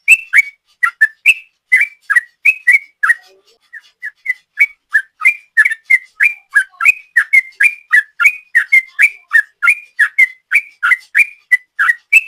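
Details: Long 'ropel' song of a sooty-headed bulbul, played as a lure: fast chain of short whistled notes, briefly dropping to a few softer notes midway before resuming the rapid, even sequence.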